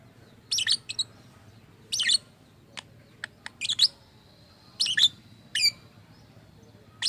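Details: Lovebird described as strange-voiced and able to copy human speech gives clustered high chirps in bursts about a second apart. Isolated faint clicks fall between the bursts.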